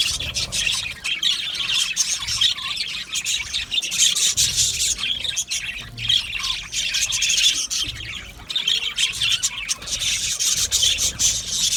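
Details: Budgerigars chirp and warble continuously in a crowded aviary colony, a thick, high, scratchy chorus that rises and falls over twelve seconds, briefly thinning near the middle.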